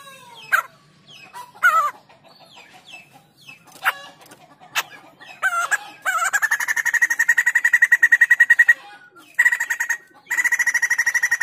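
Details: A white-crested laughingthrush singing actively, opening with sharp isolated calls and rising slurred whistles, then breaking into a long, loud, rapid cackling chatter lasting several seconds. The chatter pauses briefly and resumes.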